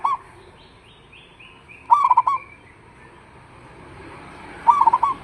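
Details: Local zebra dove call played as a lure so other doves answer. Three rolling, stuttered coo phrases rise over a steady hiss of background noise, the middle phrase loudest, with faint high whistles between them.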